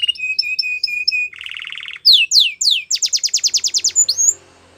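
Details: Yellow canary training song moving through repeated whistled notes, a low buzzy roll, three sweeping downslurs and a fast run of sharp high chips, ending with faint hum.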